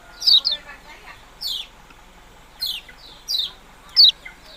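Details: A yellow-bellied prinia utters a few high, quickly descending notes spaced about a second apart, opening with a doubled chip. The background stays quiet.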